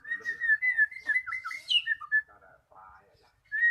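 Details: Magpie-robin song intended to coax reluctant birds into singing: a steady stream of fluent whistled warbles over about two seconds, a pause, then a brief whistle.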